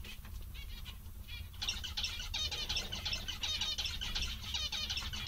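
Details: Contented zebra finches, several birds, start with a few quiet beeps, then break into an energetic stream of overlapping nasal, buzzy calls at about three per second, over a faint low hum.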